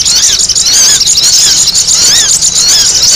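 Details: Sogon calls played to lure birds; harsh, high squealing chatter in fast irregular bursts, with a few lower down-slurred notes standing out beneath the continuous shrill noise.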